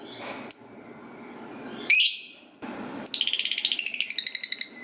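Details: Lovebird, a gacor (talkative) bird used to prompt other lovebirds to answer and sing, giving a long ngekek chatter: a short shrill squeak, a sharp burst, then a rapid run of about twenty high metallic pulses.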